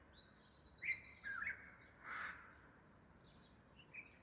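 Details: A crow gives one loud, rasping caw about halfway through, while smaller birds add high chirps, a quick buzzy trill and short whistled notes before and after.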